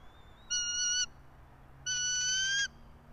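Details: Bald eagle at a nest in a pine tree about 90 feet up in Johnson City, Tennessee, one of a resident pair, 04.03.2024 at 06:28; two drawn-out, harmonically rich squealing notes about a second apart over a low steady hum.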